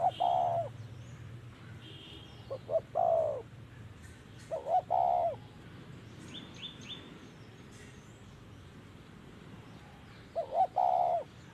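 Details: Spotted dove heard during decoy trapping, several low coo phrases at irregular intervals, short introductory notes then a sustained coo, with other birds chirping higher up.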